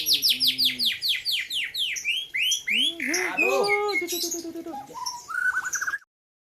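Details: Competition-singing white-rumped shama (murai batu) from Gayo highlands, Aceh: a fast series of loud descending whistled sweeps, about three per second, breaking into mixed chattering and warbled phrases before stopping abruptly.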